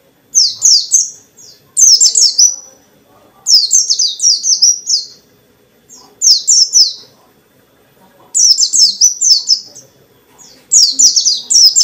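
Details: Caged white-eye singing energetically to provoke other white-eyes into answering; bursts of rapid high, descending whistled chirps in groups of three to five, repeated roughly every two seconds with silent gaps between.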